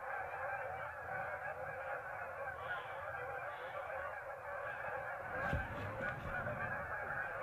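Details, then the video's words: A large flock of geese departing a marsh in the afternoon to feed after resting at midday; a constant wall of overlapping honking from many birds, a sharp knock or click near the middle, then the chorus continues. "Geese Leaving Marsh"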